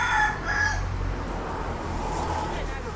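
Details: Red junglefowl raised in Thailand, with hens dust-bathing; the tail of a clear, tonal crow sounds in the first half-second, followed by steady low hum and faint noise.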